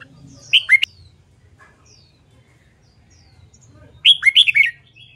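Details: Red-whiskered bulbul, a bird in training for competition song, gives a brief two-note whistle and then, after a pause, a longer rich phrase of several slurred notes, over a faint low hum.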